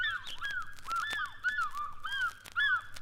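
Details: African Fish Eagle crying at an East African lake or river: ringing, yelping notes that arch and fall, repeated rapidly and overlapping like a duet, with a faint low rumble beneath.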